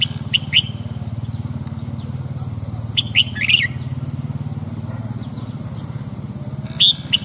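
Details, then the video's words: Morning song of a red-whiskered bulbul: brief clusters of sharp whistled chirps at the start, middle and end, set against a pulsing low mechanical hum and a thin constant high tone. "chào mào hót sáng"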